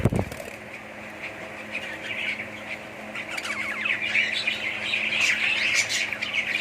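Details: Budgerigars in a colony: after a low knock at the start, soft chirping builds into a louder, busier chatter of squeaks and warbles toward the end.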